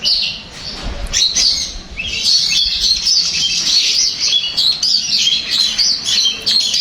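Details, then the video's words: Long-tailed shrike singing to provoke another shrike into responding, a continuous rambling warble of high scratchy and whistled notes. "Berikan suara ini untuk cendet anda pasti akan nyaut dan gacor"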